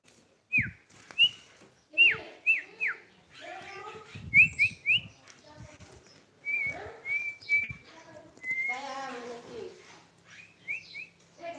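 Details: Tame sooty-headed bulbul giving short, clear whistled notes, some sliding down and some hooked upward, repeated in quick bursts. Human speech and mouth sounds run between the phrases.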